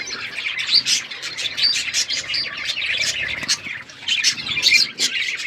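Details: Chirping pet budgies at their seeds, lively high-pitched twitter and warble with short sharp tweets repeated throughout, several birds calling at once.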